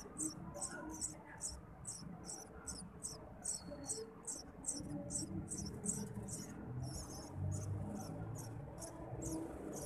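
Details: Eurasian tree sparrow chicks beg as a parent feeds them: fast, shrill chirps repeated about three to four times a second, growing more excited midway, over a low hum.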